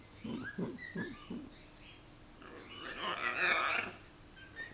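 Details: A pet macaw playing with its favourite towel gives four quick, low, throaty chuckles in just over a second, then a pause and a loud, harsh, rasping squawk; its sex is uncertain, and the owner now suspects male.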